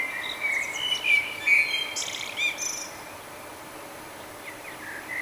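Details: Nightingale morning song in May, Budapest, Hungary, recorded with a Canon Powershot SD1000: several quick high chirps and short whistled notes in the first three seconds, then fainter sliding notes, with steady background hiss.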